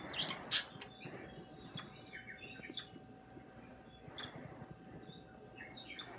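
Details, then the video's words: Budgerigar chirping: a sharp loud click near the start, then soft, scattered warbling notes and short chirps with pauses, against a faint background hum. "kissing, singing, and chirping sounds"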